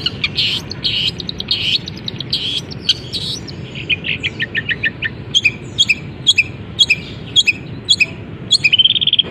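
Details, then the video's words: Long-tailed shrike in a cage, cover just opened, mixing canary, fighting-sparrow and kapas tembak imitations into its song. Dense high chirping first, then spaced bright chips repeated roughly every half second, ending in a quick buzzy trill. "Cendet Gacor Isian Kenari, gereja tarung, kapas tembak"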